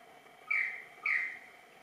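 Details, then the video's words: Practice-dance vocalisation of a superb lyrebird, Menura novaehollandiae: two brief harsh, slightly descending notes spaced about half a second apart against a steady background drone. "Lyrebird - Menura novaehollandiae - practice dance"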